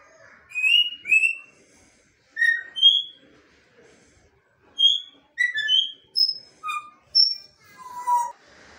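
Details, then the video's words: Indoor bonded pair of African grey parrots producing varied clear whistles, some paired and rising, others short and falling, in irregular bursts separated by brief silences. "Talking Parrot"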